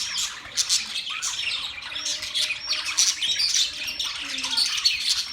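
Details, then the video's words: Several budgerigars chirping together in a busy, overlapping chorus of high, rapid chirps, squeaks and warbled twitters, with sharp rising and falling notes following one another without pause. "Budgies chirping sounds"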